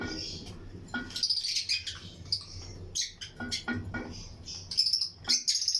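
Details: Colony of Lutino lovebirds chirping in a breeding aviary with other birds around; rapid, scratchy high chirps and clicks come in uneven bursts, growing denser toward the end.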